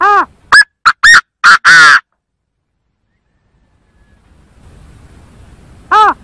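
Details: Loud Chinese francolin lure call. It gives a complete harsh phrase of six notes: an arched first note, several quick clipped notes, and a longer final one. After a silent pause comes a single arched note.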